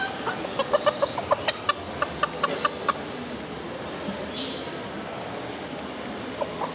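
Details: Small feather-footed chickens met in the Biosphere, Potsdam: quick, clipped clucks repeated for about three seconds, then quieter background with a brief hissing burst.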